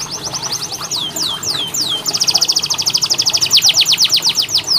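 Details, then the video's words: Canary singing a training song meant to coax lazy canaries into song: quick high trills, then a run of slow descending whistled sweeps, then a fast dense rolling trill, all bright and high-pitched over faint background hiss. "KENARI malas bunyi, Terapi untuk kenari masteran canary"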